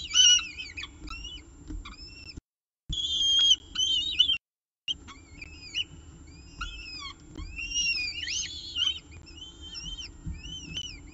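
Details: Peregrine falcon nest at CSU Orange, filmed by nest camera at the evening meal, 18 October 2018, 6:51 pm: bursts of short high arched whistles, sharp rising-falling notes in quick runs, with brief silent gaps.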